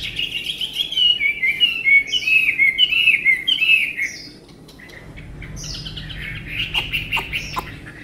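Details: Tame Chinese hwamei singing beautifully: four seconds of rapid descending whistled trills, then a pause and softer high slurred notes with a few sharp clicks.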